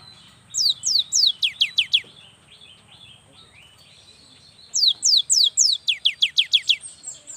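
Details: Young cinereous tit singing to draw lazy young birds into song: two long runs of rapid, sharply falling high notes, each about a second and a half, separated by a quiet pause.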